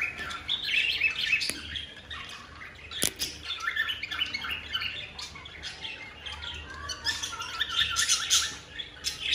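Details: Newly bought caged cockatiel pair in full breeding mood, expected to lay eggs soon, making mating calls: busy, irregular bursts of bright chirps and short squawky notes, rapidly repeated, with occasional knocks and wing flutters.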